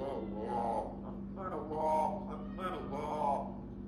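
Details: An African grey parrot mimics human speech, repeating the phrase "SubhanAllah" three times about a second apart over a steady low electrical hum.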